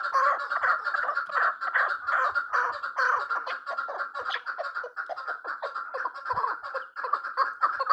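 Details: A female chukar partridge gives a steady stream of hoarse, clucking chuck notes, closely packed and rhythmic for the full eight seconds, with a single soft knock partway through.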